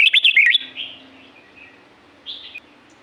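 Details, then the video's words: Red-whiskered bulbul of La-u forest, Thailand, opening with one bright, rapid warbling burst with clicks. Quieter trailing notes and a faint later phrase follow over a constant low hum. "เสียงนกกรงหัวจุก จากป่าละอูแท้ๆ เสียงดี เสียงเพราะ จากธรรมชาติ"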